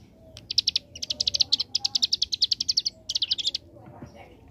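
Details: Hill prinia, locally ciblek gunung, singing gacor in the 'ngebren' AK47 style: a dense run of about twenty quick high buzzy notes, a short gap, then a shorter burst, with faint murmuring below.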